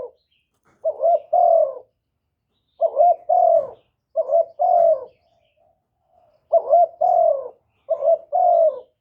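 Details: Decoy spotted dove kept to call in wild doves, recorded without background noise. It gives five paired phrases, each a short stuttering note and then a longer falling coo, separated by silent gaps of one to two seconds.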